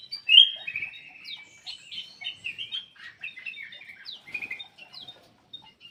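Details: Softer black-crested bulbul song, played to stimulate quiet birds: one loud opening note, then a steady stream of thin twittering and slurred whistles that fades toward the end.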